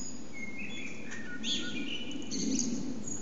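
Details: Common blackbirds singing in the morning in a backyard: faint, clear whistled phrases in short bursts over steady low background hum, with thin high chirps between them.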